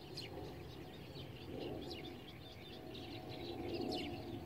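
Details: Little bittern near Madrid, Spain, on 14 June 2017, giving low, muffled croaks about two seconds apart, with other birds chirping high above against a noisy background.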